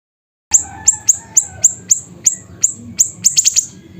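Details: Siri-siri bird singing energetically in Pidie, Aceh, Indonesia: a series of sharp, high, downward-sweeping chips repeated roughly every third of a second, ending in a quicker cluster of four notes, over quiet background.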